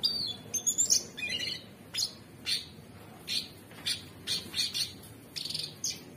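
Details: Energetic 'gacor' singing from an orange-bellied leafbird, or cucak cungkok: a fast cluster of high squeaky notes, then separate sharp chips and clicks every half second or so.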